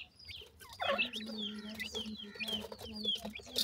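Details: Teetar chicks fed by attentive parents, giving bursts of high slurred chirps and quick peeps, some louder notes near the start, over a constant low droning hum.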